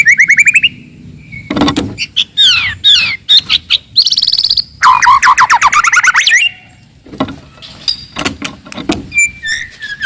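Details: Forest white-rumped shama giving aggressive, very loud song to provoke rivals: rising whistles, harsh bursts, a high buzzy note and a long rapid run of slurred notes, followed by quieter scattered phrases.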